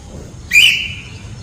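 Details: Single loud whistle from a white parrot, starting with a rough burst, then a steady high tone that fades out smoothly; low background hum otherwise.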